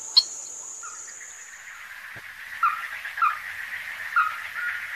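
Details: A ruddy-breasted crake at Donggang River, Taiwan, on 14 December 2023 gives short, hard, mid-pitched notes about a second apart. It is a resident, territorial wetland bird, heard over a steady high insect hiss and a faint hum.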